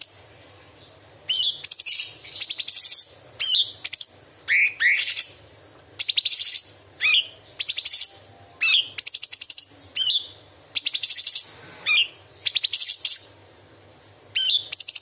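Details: Tutor-recording song of a cucak cungkok bulbul, described as sharp and varied with imitated small birds, large birds and insects: repeated bursts of piercing high trills, each often led by a clear upward-swept whistle, about every second.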